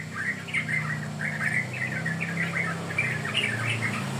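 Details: Young yellow-vented bulbul in a lure recording, chirping in fast, jumbled clusters of short notes, with a low droning hum throughout.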